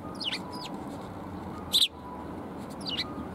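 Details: Several sparrows coming to be fed at a Tenmangu shrine in Japan on 14 February 2021: brief high chirps near the start and end, one louder harsh burst midway, over a steady low background hum.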